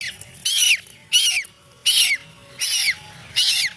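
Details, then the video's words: A scared baby duck crying: five loud, shrill, downward-sliding peeps in under four seconds, each short and harsh, spaced a little under a second apart with quiet gaps between. "Baby duck scared and crying screaming"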